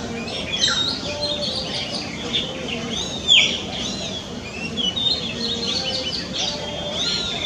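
Oriental magpie-robin singing a varied run of clear, high whistles and short chirps, with a louder rising note partway through; faint voices and other chirping birds behind.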